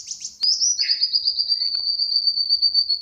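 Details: Brown-throated sunbird kept as a tame pet since young: a few sharp high chips, then a sustained, very high, even trill that runs on for over two seconds.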